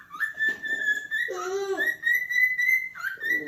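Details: Cockatiel calling with one long, level whistle held for over a second, briefly interrupted by a lower warbling, throaty phrase, then resumed and ended with a short rising note.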